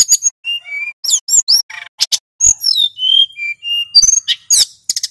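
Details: Singing male hill blue flycatcher used as a lure recording: short pure whistles at varying pitches and quick downward slurs, interspersed with scratchy twitters and loud clicks.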